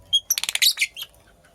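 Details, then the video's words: Nest-making female purple lovebird lets out a quick rapid run of high, bright, rasping chirps lasting about a second, opening with a thin whistled note. "Purple Lovebird Chirping Sounds - Female Lovebird Makes a Nest"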